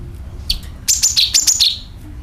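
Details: Sooty-headed bulbul call used as a lure to attract birds: one high chirp, then a quick run of sharp, bright notes stepping down from very high to lower pitch, lasting under a second, with a low background hum.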